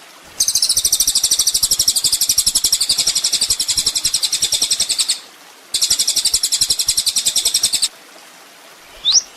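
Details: Sunbird (kolibri ninja) master recording for training songbirds: two bursts of a rapid, high, buzzy trill, the first about five seconds and the second about two, followed by a brief rising whistle.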